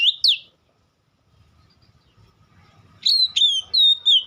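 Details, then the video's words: Oriental magpie-robin giving two brief high whistles, a silent gap with a faint low hum, then a run of four clear, level whistled notes with sharp starts, in a song claimed to provoke replies from other magpie-robins. "Dengar kicauan Kacer satu ini dijamin langsung nyaut Kacer manapun"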